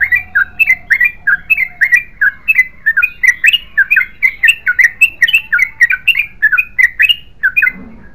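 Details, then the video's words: Yellow-vented bulbul singing in the long, continuous 'ropel panjang' style: rapid, bubbly, chortling two-note phrases repeated about twice per second without pause, with a faint low hum underneath. "BURUNG TRUCUKAN GACOR ROPEL PANJANG"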